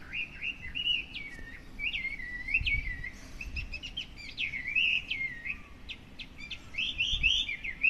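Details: A Chinese hwamei, heard every morning from a hedge in front of a house and rarely seen, sings a rich, continuous run of loud whistled phrases, slurred notes and quick trills, with faint low background rumble.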